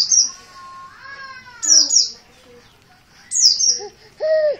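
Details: Insistent calling from an untrained dakun merapi oriental white-eye: bright high chirps that drop sharply in pitch, some in quick pairs, alongside lower drawn-out whistles and short rising notes from other sounds nearby.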